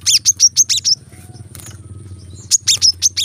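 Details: Brown-throated sunbird, 'tembakan rapat' training song for kept birds: two bursts of fast, shrill high chirps separated by over a second of near silence with low hum and faint squeaks.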